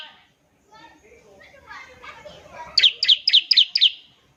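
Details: Bar-winged prinia (ciblek) ngebren singing to prompt other prinias: murmuring voices and soft rustles, then a closing run of five sharp high chirps about four per second.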